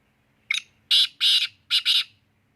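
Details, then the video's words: Black francolin giving its call: a brief harsh opening note, then three loud grating, buzzy phrases in quick succession, the later ones split into doubled bursts, against an otherwise quiet background with a faint low hum. "kala teeter ik ment men 9 boli"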